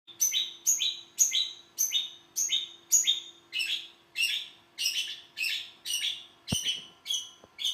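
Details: Long-tailed shrike singing a steady run of harsh, buzzy notes, each sweeping down from high to mid pitch, repeated about twice per second; a faint constant low hum and a sharp click near the end.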